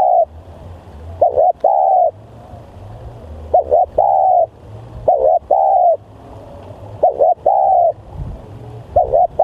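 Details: Lure spotted dove, described as fierce and highly vocal, repeats a clipped double note followed by a drawn-out steady coo about five times, evenly spaced, with faint low rumbling behind.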